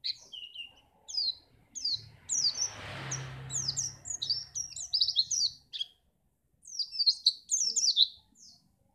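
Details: White-eye (pleci) song played to make other birds sing keenly for contests: rapid high twittering of short downslurred notes in bursts, a brief pause near six seconds, with a low engine-like rumble passing midway.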